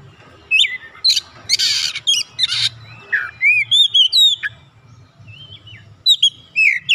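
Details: Oriental magpie-robin, a bird kept for training, singing loud varied phrases: whistled upslurs and downslurs mixed with harsh buzzy bursts, in bouts separated by short pauses.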